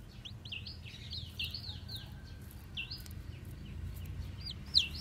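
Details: Japanese bantam chicks, newly hatched, white with black tails, roaming about: loud, high, downslurred peeps in bursts, over a faint low hum.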